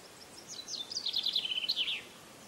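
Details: Chaffinch song in a short, clean phrase: a cascade of rapid, high notes slides down in pitch, then a quick closing flourish.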